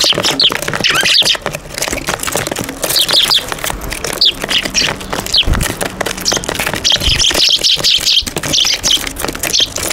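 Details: Eurasian tree sparrows at a balcony on 5 February 2023 chirp in quick, high bursts, sometimes several birds together, over steady rustling and clicking noise.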